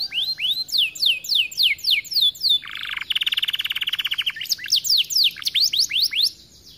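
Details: Canary singing to stir other canaries into song: a series of loud down-slurred whistles, a buzzy rapid rattle in the middle, then more quick descending whistles.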